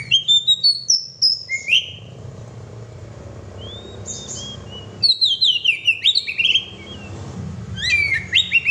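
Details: Oriental magpie-robin singing bursts of quick chirping, sharply swept notes and rising whistles, with a quieter stretch holding a single soft slurred whistle before the energetic phrases resume.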